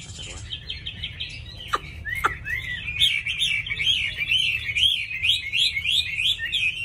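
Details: Tame Chinese hwamei in a cage sings a rolling, repetitive warble of bright whistled notes, preceded by two sharp clicks, over a soft indoor hum.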